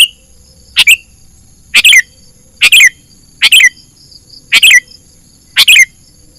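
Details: Sooty-headed bulbul lure call used to trap wild birds, a sharp chirped double note with a short downward tail repeated about once a second, six times, against a faint constant high hiss.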